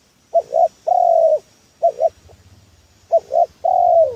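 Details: Spotted dove (tekukur) call used as a trapping lure: low, hollow coos in a repeating phrase of two short notes followed by one longer, slightly falling coo, heard three times.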